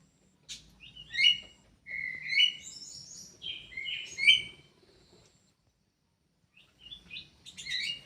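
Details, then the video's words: Kidangan kaso kaso bird in a breeding aviary, giving bursts of bright, jumbled whistles and sharp chirps in quick phrases, falling silent for about a second and a half, then resuming with scratchy high notes. "BURUNG KIDANGAN KASO KASO"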